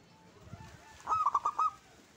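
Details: Local zebra dove singing: a brief phrase of four quick, ringing staccato coos in a row, preceded by soft low rumbling background noise.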